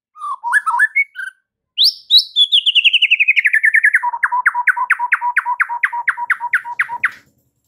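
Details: White-rumped shama master song for training caged birds: a few quick twisting whistles, then a long, fast trill falling steadily in pitch into evenly spaced, repeated sharp notes, about three per second.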